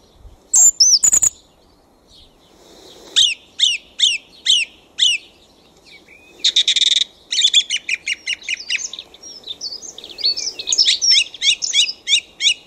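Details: A thrush sings at night in a back garden. Two sharp high notes are followed by a clipped whistled phrase repeated about five times, a buzzy burst, then fast repeated chattering phrases.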